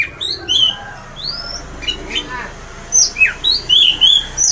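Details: Loud 'ngeplong' singing of an orange-headed thrush, said to set other birds singing: clear whistled notes and upward and downward slurred phrases, some high and thin, delivered in quick succession.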